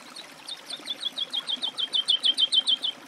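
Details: Woodlark song: a rhythmic, accelerating series of sweet, liquid notes, repeated several times a second and growing louder toward the end.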